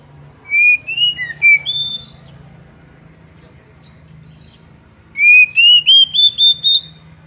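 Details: Female Oriental magpie-robin luring males into agitation, fighting and tail-spreading: a quick mix of rising and dipping whistles, a pause with low hum, then a long series of clean whistled notes climbing step by step.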